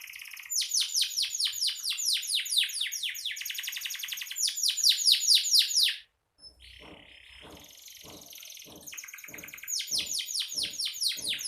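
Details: Canary in vigorous song: long rolling trill of rapid downward sweeps for six seconds, a short pause, then a lower buzzy passage with steady clicking pulses before trills resume at high pitch.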